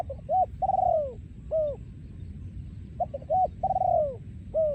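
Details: Breeding male spotted dove singing in the โยนคูอ่าง style, 2023: two full phrases, each with quick short coos, a long throaty descending rolling coo, then a final arched coo, against low rumbling background.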